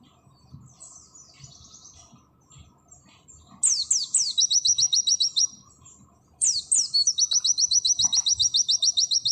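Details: Oriental white-eye, auri type, in 'nembak sejalur' tutor song: faint high twittering first, then two loud bursts, each opening with steeply falling whistles and breaking into a rapid string of shrill, evenly repeated chips.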